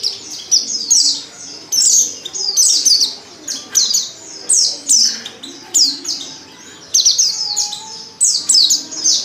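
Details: Female white-eye in heat calls a male with bursts of high, piercing chirps that drop in pitch, repeated in irregular groups roughly every second or two, above a soft low background murmur.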